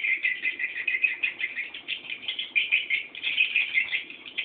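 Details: Swiftlet nestlings awaiting a returning parent, calling in a steady stream of shrill, rasping chirps that pulse in quick waves throughout.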